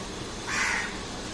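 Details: House crow giving one short, harsh, hoarse caw of about a third of a second, rising out of steady background hiss.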